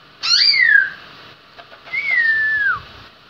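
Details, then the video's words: Black-throated laughingthrush (khướu mun) from Lai Châu gives two loud, rich whistles, each sliding downward, the second longer and falling lower; nothing else is heard. "khướu mun"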